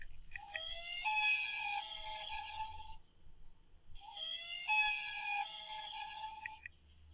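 A Common Loon gives two long, mournful wails, each about two and a half seconds of clear tone that steps up in pitch partway through.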